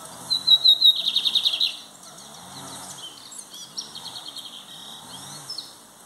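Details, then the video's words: Lined seedeater (Sporophila lineola) singing loudly: a high burst of rapid buzzy trills and chips, then softer scattered twitters over faint background chatter. "Bigodinho cantando alto"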